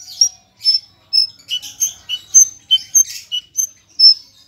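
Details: Javan bush lark (branjangan parva) singing in a clear voice: a fast, varied run of high, sharp chirps and short trills, a new note roughly every half second, with nothing else heard.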